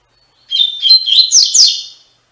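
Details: Tui Tui Fibra style song of a double-collared seedeater, used to tutor caged young brown and adult black birds. Bright whistled notes run into fast, sweeping, buzzy slurs, then end on a drawn-out high tone. No other sounds.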